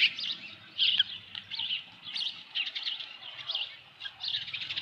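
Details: Osprey nest at Dunrovin Ranch, evening of 15 July 2018, with a large headless fish: irregular high, wavering chirps in short bursts, roughly one per second, over a faint low hum.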